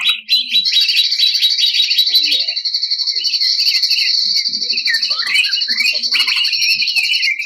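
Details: Greater green leafbird, a 2021 national champion contest bird, singing in the rough 'tembakan kasar' burst style: a dense, fast stream of high, sharp chattering notes over a steady ringing whistle-like band, loud throughout.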